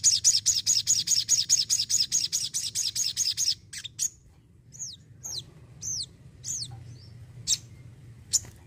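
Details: Crimson sunbird delivers a steady rapid trill of high notes for three and a half seconds, followed by a few scattered, downward-curving whistles and clicks.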